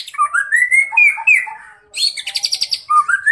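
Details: Juvenile spotted white-rumped shama singing loudly with imitated cerucuk filler; sweet, sliding whistled phrases, a brief gap, then a rapid rattle of high repeated notes before another rising whistle.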